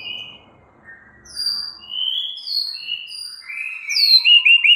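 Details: White-rumped shama 'isian' filler song, played to coax a silent caged shama into singing: thin, high whistled notes, spaced at first and then quickening into rapid strings near the end.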